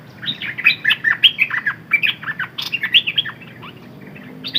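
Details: A decoy red-whiskered bulbul sings a rapid, bubbly string of whistled notes, slurring up and down in a steady stream for about three seconds before tailing off, then a fresh note starts.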